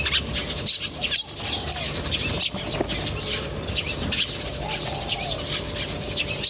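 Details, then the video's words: Natural bird chorus of quick high chirps and twitters, interrupted by a few short clicks or knocks, with a faint soft lower whistle midway and a steady hum underneath. "The chirping of birds in nature is very relaxing"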